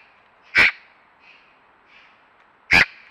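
A magpie gives two loud, harsh, rasping calls about two seconds apart, with faint softer sounds between them.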